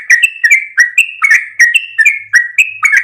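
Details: Yellow-vented bulbul, local trucuk kebo, calling out loud, fluty, chirping notes in quick alternating high and low pairs, about three per second, with nothing else heard.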